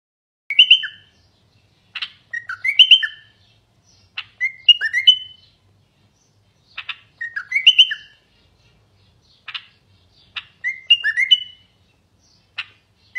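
A common bulbul sings short, liquid, bubbling phrases of mid-pitched whistled notes with a few sharp clicks, repeated about every two seconds in a quiet setting.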